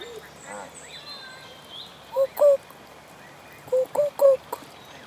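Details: Canada goose with goslings on the South Pond in Midhurst, West Sussex, England: short, clipped mid-pitched honking notes, one single then a quick group of three, over faint background birdsong and a brief human voice at the start.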